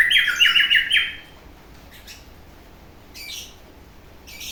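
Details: White-rumped shama giving what is described as coughing: a quick burst of rasping, repeated notes for about a second, then silence broken by two short harsh bursts.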